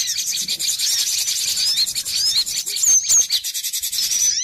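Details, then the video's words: Busy cinereous tit lure sound for bird trapping, mostly a harsh, rasping, buzzy chatter. A few thin whistled slurs stand out near three seconds and again at the end. "Suara pikat burung gelatik batu ribut"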